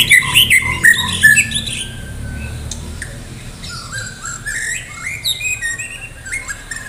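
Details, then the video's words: Medan white-rumped shama singing energetically before a singing contest: an opening burst of bright, high whistled notes, followed by softer, varied warbling phrases with scattered clicks. "murai batu medan gacor siap ikut lomba || murai batu gacor full isian"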